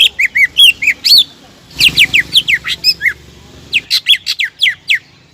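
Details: Greater green leafbird in vigorous song, used to provoke rival birds into singing their full repertoire: bursts of sharp, sliding whistles and chattering notes, given in three quick phrases separated by short pauses.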